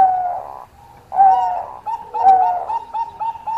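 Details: A Bangkok zebra dove singing eagerly to draw a rival: a whistled coo, a brief pause, then longer phrases of bright tones running into a string of quick, repeated notes.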